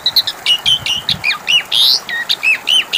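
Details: Lure song of an Asian pied starling, meant to prompt a quiet bird to answer: a rapid run of squeaky, looping whistles and harsh chirps, closely spaced and varied.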